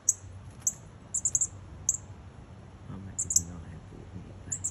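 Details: Very loud northern cardinal nestlings right outside a house's front door, parents nearby: high, thin chips in quick clusters, with low murmuring and rustling underneath.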